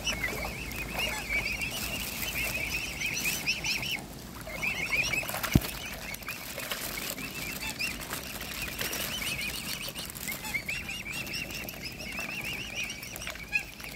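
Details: Hungry mute swan cygnets fed by hand: thin, quavering peeps in long runs, broken by a short lull near the middle. Splashing and rustling are heard, with a sharp knock and a person laughing.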